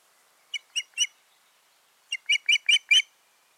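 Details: Osprey pair at the nest on 14 June 2019, giving sharp high chirps: a group of three, a pause, then five quick rising notes in a row.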